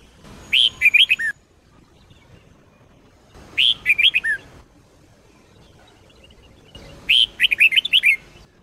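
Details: Red-whiskered bulbul of the Sông Kôn type singing a training song: three near-identical phrases of four or five liquid, wavering whistles, repeated about every three seconds, with a thin high hiss behind.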